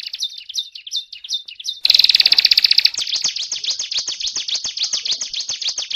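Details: Mountain tailorbird (Phyllergates cucullatus), song.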